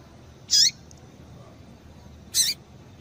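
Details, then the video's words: Two high, buzzy notes from a female double-collared seedeater, about two seconds apart, a call given to warm up a male so he sings; the second is slightly longer and doubled, over low hiss. "Piado de Fêmea de Coleiro para Esquentar Coleiro"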